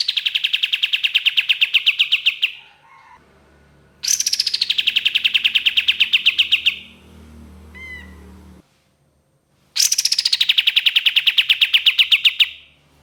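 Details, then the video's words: Ashy tailorbird, called kapas tembak, delivering long 'tembakan' bursts meant as a lure: three fast runs of clipped, identical notes, each run roughly two and a half seconds, with a faint rising whistle and low background hum between them. "SUARA BURUNG KAPAS TEMBAK NYAUT GACOR DORR 100% AMPUH❗️KAPAS TEMBAK TEMBAKAN PANJANG"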